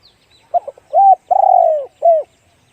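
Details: Spotted dove cooing in the 'one-kook big voice' style: a few stuttered short notes, then three hollow coos, the middle one long, drawn out and sliding downward, with a short final coo.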